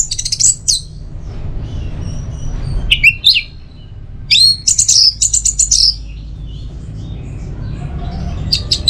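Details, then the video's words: Orange-headed thrush (anis merah) singing its teler-style song: short bursts of high, sweeping whistled notes with sharp rising and falling slurs, broken by pauses, over a low background hum. "Pancingan Burung ANIS MERAH Agar Selalu Bisa Menikmati Telernya"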